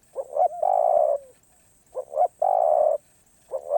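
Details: Off-cue 'karom pa roi' song of a spotted dove: a pair of short cooing notes, a long level coo, then the same pattern again. A third phrase begins at the end.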